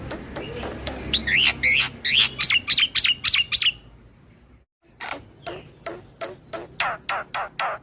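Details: Black-winged starling in full rolling song, nodding as it sings to provoke other starlings: a rapid run of loud rising whistled notes over harsh rasps, a brief pause, then regular sharp chattering strokes about three per second.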